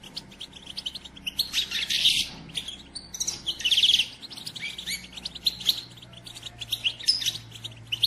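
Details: A female European goldfinch chirps to rouse a male into song and excitement. Busy, high, scratchy twitters come in thick clusters with short pauses, steady through the recording, with a soft low hum behind.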